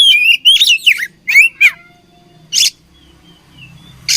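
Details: Oriental magpie-robin (kacer) from Indonesia in fighting mode, opening with a rapid run of sliding whistles and harsh chattering notes, then quieter thin whistles broken by two short buzzy bursts, over a faint low hum.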